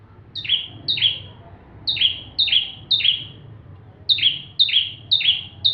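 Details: Lively full song of a bar-winged prinia meant for teaching magpie-robins: quick runs of two or three ringing notes, each a high note falling to a lower buzzy slur, repeated in steady groups.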